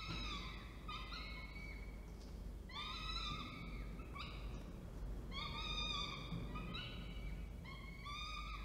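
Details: At Orange, New South Wales on 19 October 2024, a male falcon delivers food and the female feeds; rich harmonic wailing notes repeat roughly every second, with brief pauses, over low steady background noise.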